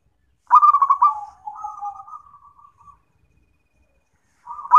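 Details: Zebra dove song for therapy and for training other birds: a loud rolling trill of coos trails into soft level notes lasting about two seconds, then a long pause before the next phrase starts.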